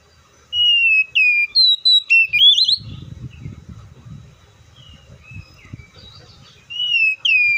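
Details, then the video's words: Oriental magpie-robin whistles a rapid run of slurred notes climbing into a looped trill. A stretch of low muffled background noise follows, then two more falling whistles. "THE BIRD COPSYCHUS SAUCARIS VOICES MUCH LONG LIKE IN NATURE!"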